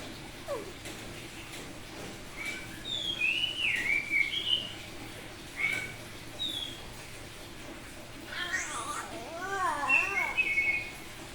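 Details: Semi-tame Bali-type oriental magpie-robin singing actively in open, ringing 'ngeplong' style: scattered clear whistled notes and slurred phrases, then a lower run of wavering, looping warbles near the end over faint background hum.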